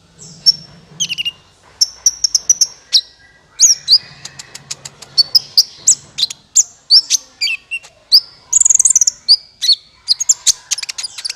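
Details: Sunbird lure calls used for trapping birds: sharp, very high tweets and short whistled notes in quick irregular bursts, some sliding downward, with a faint low hum beneath.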